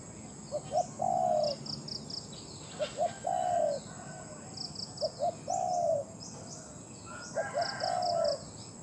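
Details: Captive decoy Spotted Dove with a big voice, used in decoy trapping in Thailand, giving four calls: each is two short hollow notes, then a long, level, slightly falling coo, about every two seconds, with faint high insect-like chirps and a thin steady whine.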